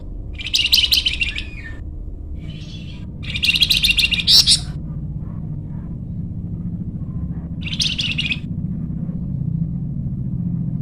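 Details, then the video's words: Flamboyan bird in energetic gacor singing, used for luring or tutoring other birds; short bursts of high chattering, buzzy notes, each about a second long, separated by pauses, over a low steady rumble. "masteran burung flamboyan"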